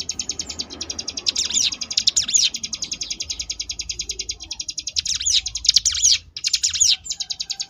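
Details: Sunda bush warbler (ciblek gunung) in the ngebrem singing style, used as a tutor recording for contest birds: dense, rapid, buzzy rattling trills at high pitch, delivered in almost continuous bursts with brief breaks and quick chirps between them.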